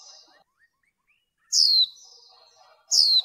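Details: A female white-eye used to stimulate males in bird training gives two piercing, high calls that fall quickly in pitch, about one and a half seconds apart, after soft twittering.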